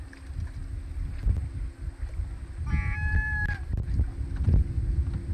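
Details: Great black-backed gull at the Audubon Boathouse nest, 2 August 2020: one drawn, harmonic-rich call lasting under a second, holding steady then dipping slightly at the end, over constant wind rumble and low boat or water noise.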